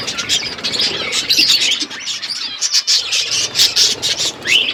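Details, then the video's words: On February 25, 2024, eating parrots keep up loud, rhythmic bursts of high chirps and squeaks, pulsing roughly twice a second, with a rising whistled note at the close. "Beautiful Parrot eating food birds chirping sounds"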